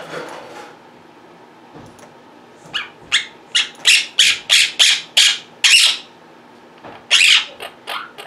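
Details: Indoor pet Quaker parrots (monk parakeets), very vocal beside a computer desk, give a run of about ten loud harsh squawks at a steady fast pace, then a brief pause and more squawks.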